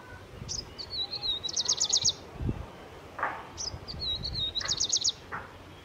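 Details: Grey-breasted (Franklin's) prinia, tagged Himachal, India, gives two high, thin phrases about three seconds apart, each a sliding whistle then a quick run of six buzzy repeated notes, over faint low thumps.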